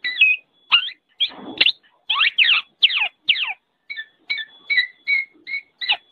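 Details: Black-naped oriole with short, slurred notes in uneven clusters. One burst sounds rougher and noisier, and later notes turn into clipped, whistled two-part phrases with a faint steady tone behind them.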